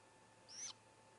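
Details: Great grey owl owlet at a nest with four owlets, recorded by a nest camera while the youngest swallows a whole vole and a sibling seems to cheer it on: one short, high, hissing screech, under half a second, over a steady faint hum.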